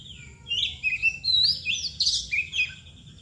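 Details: White-rumped shama (kacer balon, koci bagong) pouring out a continuous stream of varied whistles, rising and falling glides and buzzy chirps, loud and rich throughout, over a faint low hum.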